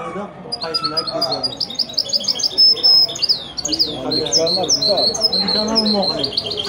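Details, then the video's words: Goldfinch × canary hybrid (mule), bred from a male goldfinch and a female canary, singing a fast, varied song of high trills, repeated ringing notes and downslurred whistles, with men talking quietly underneath. "هجين ويداني روعة ماشاء الله اسمع استمتع"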